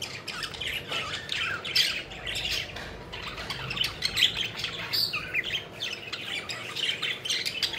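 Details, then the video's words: Several pet budgerigars at play and in flight chatter continuously, with dense, overlapping scratchy warbles and quick chirps throughout and no clear pauses. "Budgies Having Fun: Playful Birds Flying and Chirping Joyfully"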